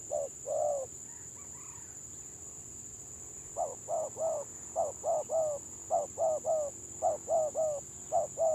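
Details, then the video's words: Village spotted dove singing in the stuttering gagap style: two mellow coos, a pause of nearly three seconds, then a rapid run of short, broken coo notes. A steady high-pitched whine runs throughout. "BURUNG TEKUKUR GAGAP VS GAGAP"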